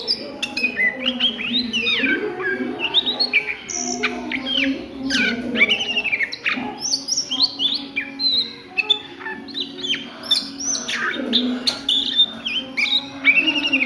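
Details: A long run of Oriental magpie-robin ngriwik song at midday: dense, fast, varied whistled sweeps and twitters, phrases tumbling one after another, with a steady low hum beneath.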